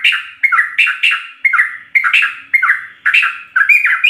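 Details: Sooty-headed bulbul in full song, used as a master recording for training captive birds: bubbly, liquid phrases repeated about once a second, each a quick rising then falling whistled note, loud and close.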